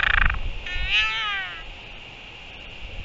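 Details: In New Zealand on 24 February 2023 at 4:29 PM, a royal albatross mother feeding her chick gives a sky call: a drawn-out braying note, rising then falling, rich in harmonics, about one second long, after a brief harsh burst.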